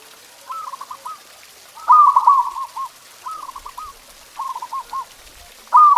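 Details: Repeated zebra dove song phrases used as a training recording for pet doves: short rolling coo bursts ending in clipped staccato notes, about one phrase per second, some louder than others.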